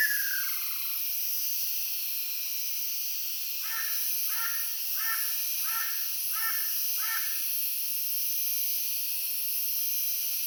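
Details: A Ryukyu ruddy kingfisher (Halcyon coromanda bangsi), heard calling all over an island on 17 May 2022, gives six short, slightly falling notes about two-thirds of a second apart, over a steady high hiss.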